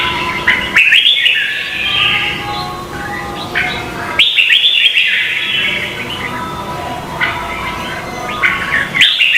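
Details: Red-whiskered bulbul singing in a Vietnamese contest style, kept as lure audio: loud whistled phrases of rapid chirping notes, restarting roughly every three seconds, with softer trailing notes between.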